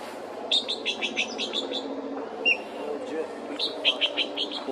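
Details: A Yellow-billed blue magpie at Chopta, Uttarakhand, India, on an April 2023 evening gives two rapid bursts of harsh, scratchy chattering with one clear whistle between, over a low murmur of voices or traffic.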